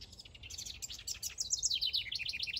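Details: Singing male house wren near its backyard nest site: jumbled high chirps at first, then a clearer falling sequence of quick, bouncing notes repeated several times toward the end.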